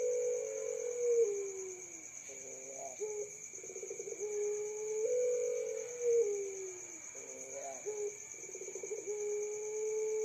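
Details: Quieter, more distant-sounding young puter pelung dove giving drawn, gently falling coos broken by quick pulsed rolls, repeated several times amid a constant background hum.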